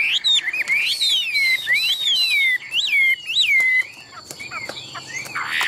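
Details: Loud, clear arching whistles from a caged, tame Chinese hwamei praised as a strong competition singer, each note rising then falling, fading to softer twitters after four seconds.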